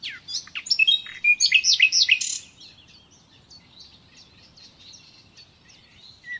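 A common nightingale sings a rapid burst of rich, varied whistles and trills for about two seconds, then softer, scattered high notes follow over a quiet background.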